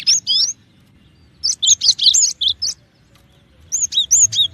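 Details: Cinereous tit in three short bursts of clipped, high whistled notes, each group of three to six notes separated by brief pauses.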